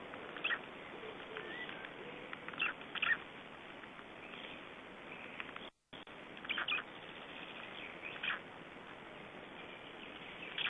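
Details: Three-day-old black stork chicks at a nest in Estonia, 2012, give short, high squeaky chirps in scattered bursts every second or two over a steady hiss.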